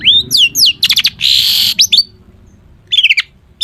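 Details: Long-tailed shrike singing a full mimicry-filled song meant to prompt other shrikes to sing: rapid sweeping high whistles and clipped chirps, a harsh buzzy burst mid-way, a short pause, then more sharp chirps.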